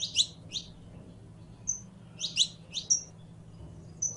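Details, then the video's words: Singing Saffron finch (canario criollo): quick clusters of bright high chirps, a lone thin whistle, then another chirp burst, with a soft continuous hum in the background. "CANTO DE CANARIO CRIOLLO CANTANDO"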